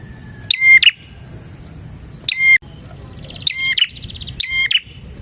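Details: A bar-winged prinia in full voice, used to train other prinias and to lure them: four emphatic chirping phrases with bright whistled notes, irregularly spaced, over faint steady background humming.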